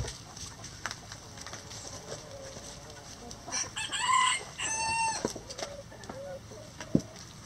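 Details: Rooster crowing in a chicken coop: after faint background clucks, a loud harmonic crow of two drawn-out, nasal syllables lasting almost two seconds, followed by soft clucking and a sharp knock.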